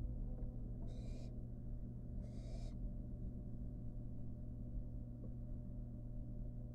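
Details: Barn owl fledgling, wild, in a nest box with a rat in its beak. Two short, harsh hisses come close together about a second apart, then quiet with a steady mechanical hum.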